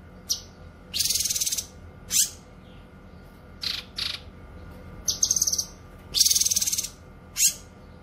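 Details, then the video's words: Cucak kinoy bird in lively song, used for training songbirds and luring wild birds: harsh high buzzy bursts alternating with short sharp notes and brief whistled phrases, irregularly spaced. "Masteran suara burung CUCAK KINOY gacor cocok untuk masteran dan pikat"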